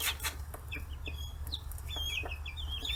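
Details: A flock of 40-day-old free-range chicks gathered at fish heads in Kitahiroshima, Hiroshima, Japan; scattered thin chirps and a few longer wavering peeps over a loud low rumble and a noisy opening burst.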